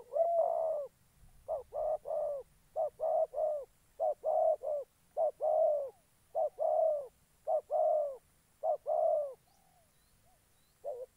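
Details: Spotted dove kept as a decoy bird for trapping in Gia Lai, Vietnam, giving low, hollow coos in quick two- and three-note groups, about one note per second, with short pauses between groups. The background is quiet.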